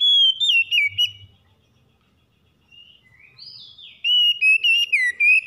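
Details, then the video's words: Oriental magpie-robin singing in the morning, offered as a remedy for stressed birds: sharp, ringing whistled notes sliding up and down, a hush with faint soft twitters, then a rapid string of loud whistles. "PEMULIHAN KACER SETRES DENGAN KICAUN PAGI CEPAT GACOR"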